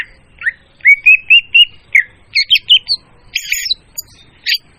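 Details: Leafbird song played as a clear, loud lure for bird trapping: a varied run of clean whistled notes, several short rising slurs repeated in a quick series, then buzzier chattering phrases and a final sharp note.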